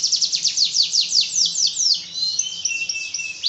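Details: Canary song opening with a fast series of steep, descending high notes, then shifting into sustained, slightly buzzy whistled tones with flickering trills; faint low hum beneath.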